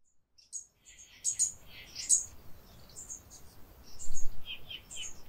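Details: Brown Inca (Coeligena wilsoni) in northern Peru giving thin, very high chips and short twittering notes in loose bursts, with low background rumble throughout.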